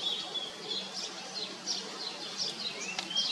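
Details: Common iora at the nest feeding its young. Soft, high chirps and brief whistles repeat irregularly, with one rising whistled note near the end, all over steady outdoor hiss.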